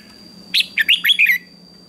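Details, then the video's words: Morning contest singing by a red-whiskered bulbul, one rapid burst of five clear whistled notes, sharp attacks and slurred endings, over a faint low hum and a steady high tone. "Chào Mào Hót Đấu Sáng"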